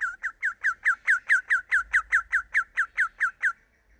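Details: Young sooty-headed bulbul learning its song, delivering a steady run of about seventeen short falling notes, roughly four per second, clear and evenly spaced before stopping.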